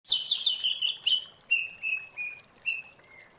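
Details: White-rumped shama trained to sing in forest-style voice (giọng rừng): a dense burst of high tumbling notes, then five clear sliding whistles spaced about half a second apart, ending with a softer low whistle.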